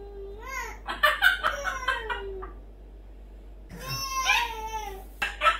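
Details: Indoor pet parrot chattering in the morning, with bursts of warbling speech-like phrases and sliding whistled notes, a short quiet gap, then more harsh, tonal chatter; low hum underneath.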